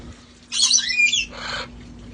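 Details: Flock parrots outside at a sanctuary, playing before it turned cold. One long grating screech with whistled overtones is followed closely by a shorter, lower raspy call.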